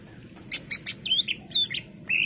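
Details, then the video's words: Greater green leafbird, a lure recording meant to spur other birds to sing: sharp clicky high notes followed by sweet slurred whistles and a rising whistle at the end, over a low background hum. "PANCINGAN CUCAK IJO Macet Bunyi / Masteran Cucak Ijo full isian"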